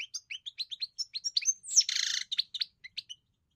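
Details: European goldfinch singing a fast run of liquid, twittering notes, about three per second, with a brief harsh buzzy burst in the middle before the tinkling phrases resume.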